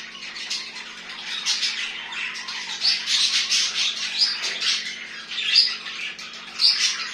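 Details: Budgerigars kept as pets warble busily with grating, twittering notes and a few clear high squeaks. A low steady hum is present in the background.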